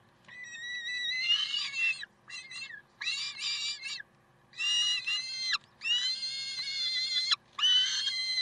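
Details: Loud, strident screaming from peregrine falcons at Karlsruhe, 30 May 2010, in sustained harmonic wails of up to a second and a half, broken by brief gaps.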